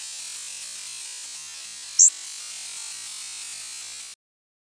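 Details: A single very high, very short rising flight call of a Black-throated Blue Warbler, a call often given in nocturnal migration in doubles half a second apart, set against steady hiss.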